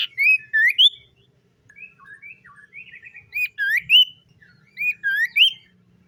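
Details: Morning song of a common iora, loud rising whistles in pairs repeated about every one and a half seconds, with softer chattering twitters between the phrases and faint low background noise.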